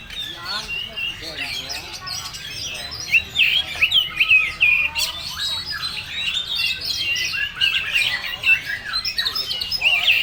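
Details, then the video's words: Full materi song of an oriental magpie-robin (kacer): dense, changeable chatter of whistles, trills and squeaky notes, swelling into loud emphatic bursts after a quieter start. "Suara burung KACER full materi"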